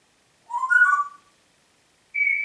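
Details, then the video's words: Pet Congo grey parrot in Diebach near Hammelburg, Germany, April 2012, giving a warbling whistle that rises and falls in steps, then after a pause a clear steady high tone. "Kongo-Graupapagei pfeift pfeifen"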